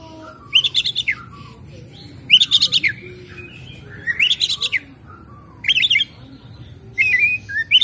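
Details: Oriental magpie-robin phrases played to coax quiet, stressed birds into full song: five short bursts of rapid, buzzy chattering notes, each about half a second long, separated by pauses, with a low background rumble.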